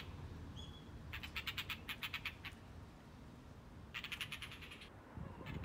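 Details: Blue rock thrush, a male holding a lizard in its beak and displaying to a female: a brief thin whistle, then two bursts of rapid, harsh, rattling chatter, about eight notes per second, over a low background rumble.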